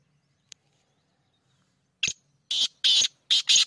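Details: Sindhi black francolin, or kala teetar, calling: after a faint tick and a short scratchy note, a rapid series of four loud, rasping, grating bursts about a third of a second apart, in quiet surroundings.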